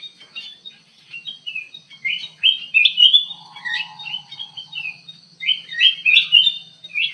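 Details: A ruby-throated bulbul in an aviary, in lively song: quick chattering whistled phrases that rise and fall, roughly one burst every few seconds, with a short low buzzy note midway.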